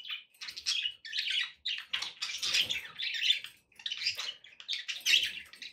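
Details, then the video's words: Pet budgerigars chattering, played to encourage another parrot to eat and sing: a near-continuous run of bright, scratchy warbles and chirps, in bursts of under a second separated by brief pauses. "budgie sounds to encourage your parrot to eat and sing"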